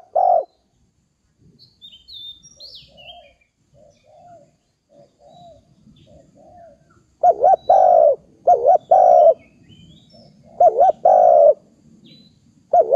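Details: Dove calling with one loud coo, a pause filled by soft distant coos and high twittering from small birds, then a burst of loud hollow coos, wavering and steady notes alternating.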